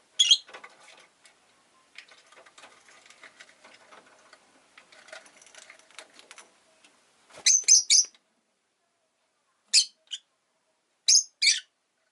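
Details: Rosy-faced lovebird chattering softly and scratchily for several seconds, then bursting into clusters of shrill, high chirps, some doubled, near the end.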